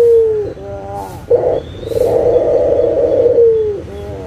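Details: Local Barbary dove calling as a lure for doves that have stopped singing: a falling note, a brief pause, then one long, rough, rolling coo that slides downward as it fades.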